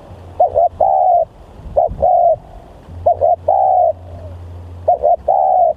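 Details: Spotted dove calling, used as a lure: repeated low cooing phrases, each two short quick notes followed by a longer drawn coo, about every two seconds.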